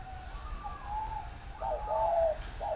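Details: Spotted dove giving a warm-toned, plain three-note coo, rendered locally as "cúc cù cu": soft mellow hooted notes, a long gently falling first note followed by two stronger, fuller coos, against quiet background.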